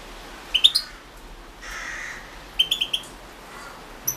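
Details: European goldfinch from a 2016 goldfinch song championship entry: two short clusters of quick high liquid notes, tickling and bright, separated by a soft nasal drawn note, then a single high chip at the end.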